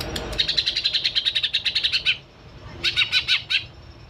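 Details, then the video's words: Wild greater green leafbird of the Kalimantan type, in Alas Purwo, Banyuwangi: a fast, even run of about fifteen high, bright notes repeated in steady rhythm, then after a short pause a briefer burst of similar notes over faint background hiss. "ISIAN NYA SUPER, CUCAK HIJAU KALIMANTAN.."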